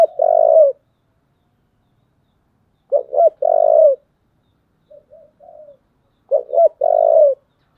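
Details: Spotted dove with a deep thổ voice giving fighting calls: three loud phrases, each of two quick coos and a long drawn coo, separated by pauses, with a soft muttered coo between the later phrases.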